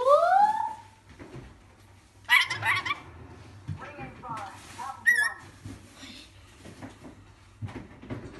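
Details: A pet rainbow lorikeet mimics speech with a rising, voice-like phrase, then gives harsh raspy screeches and a high warbling squeal in a quiet room.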